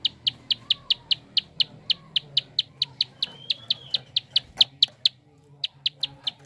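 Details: Prinia clicking fast, a sound used to stimulate other birds to sing. Dense run of sharp high ticks, nearly five per second, a thin whistle crossing the middle, then a short silence before clicking resumes.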